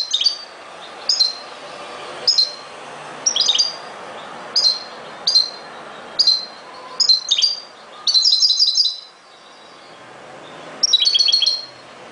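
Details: European goldfinch singing: a series of bright, short, high twittering notes repeated roughly every second, ending in two longer tinkling, trilled phrases, with quiet background between them.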